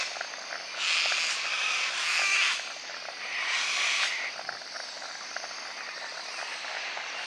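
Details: Two long, harsh, grating screeches from a sulphur-crested cockatoo (Cacatua galerita) at the Barron River, each lasting well over a second, over a faint steady background hiss.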